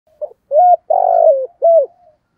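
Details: Spotted dove cooing in the 'giọng thổ' style: a short low note, then a level hollow coo, a long rolling coo sliding down in pitch, and a final arched coo, with no other sounds.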